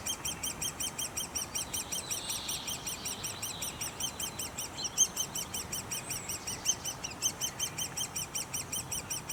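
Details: Great spotted woodpeckers at a nest: a continuous, rapid chorus of high, ringing chirps repeated in steady pulses, close together and layered, with a faint low background rumble throughout.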